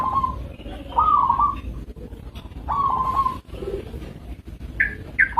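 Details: A local zebra dove gives a few wavering coos over a steady low rumble. Knocks and a couple of short higher chirps break in near the end.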